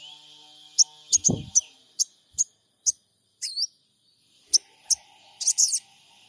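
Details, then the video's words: A trotol sogon on a lure recording from Purbalingga, captured by Android phone to make other birds respond. Crisp high chirps repeat about twice a second, then a curling whistled note and a buzzy double burst, with a brief thump. "Pancingan SOGON trotol PENJEBOL EMOSI SOGON MACET BUNYI"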